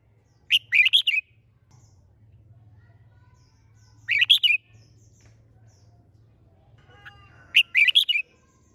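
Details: Caged contest red-whiskered bulbul repeating the same brisk four-note warbled phrase three times, roughly every three and a half seconds, with near silence between.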